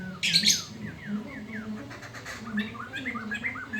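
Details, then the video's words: A black-throated laughingthrush sings loudly at midday: one harsh rasping burst, then a lively series of short whistled upslurs and chattering notes, with a low hum in the background. "SUARA POKSAY MANTEL DI SIANG HARI GACOR"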